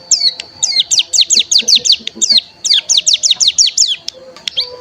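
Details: Bar-winged prinia (cigun) lure song to make birds sing, made of quick rows of high slurred notes in two bursts with a short break, plus faint lower chirps underneath.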